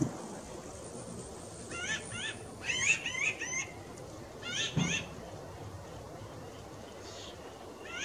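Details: Pinyon jays arriving by the dozens on a visit; nasal, mewing calls with stacked harmonics come in quick clustered bursts, several overlapping, then fade to scattered single calls against a low background rumble.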